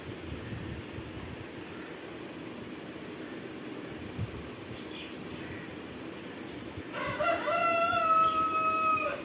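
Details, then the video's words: A pet Indian ringneck (rose-ringed) parakeet gives one drawn-out, nasal, slightly falling voiced phrase near the end, after several seconds of quiet room hiss. "Talking parrots videos"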